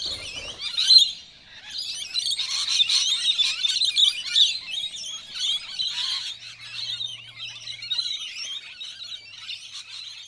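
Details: Several wild rainbow lorikeets in a suburban neighbourhood, being feisty and aggressive towards one another: a continuous dense chatter of harsh, high screeches and squeals, overlapping and rapid, with louder bursts near the start.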